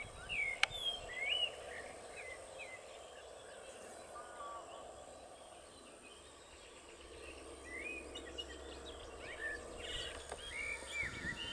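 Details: European bee-eaters at the Soča river mouth nature reserve (Izliv Soče), 1 June 2023, giving short, rolling, liquid 'prruip' calls in scattered bursts, rising and falling in pitch, over steady wind hiss and distant background noise.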